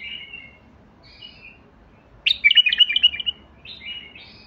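A White-eared Bulbul gives clear fluty whistles, then a lively second-long burst of rich, bubbling notes, ending with more mellow whistled phrases.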